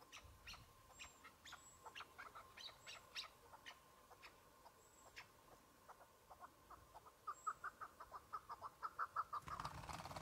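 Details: Chukar partridge during a spring hunt on patchy snow: scattered faint ticking notes at first, then a quickening run of clipped chuck notes near the end, over a noisy background.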